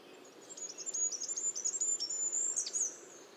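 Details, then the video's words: Goldcrest singing a fast run of very high, needle-thin notes in a rhythmic, see-sawing series, closing with a brief twittering flourish before fading into soft background hiss. "Как поёт желтоголовый королёк"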